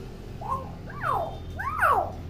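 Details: Shrill common hill myna, a tutor bird for young mynas, giving two harsh harmonic calls that rise and then sweep steeply downward, over a low hum.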